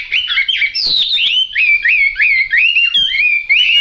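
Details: Yellow-billed, yellow-legged Chinese hwamei singing loud, fluty whistled phrases that swoop up and down, strung together in quick varied succession with hardly a break.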